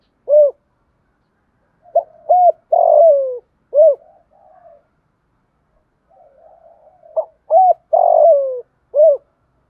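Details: Spotted dove cooing to provoke and lure a rival bird: low, mellow coos in short phrases, a brief note, a doubled coo and a longer drawn-out falling coo, repeated twice with faint softer murmurs between.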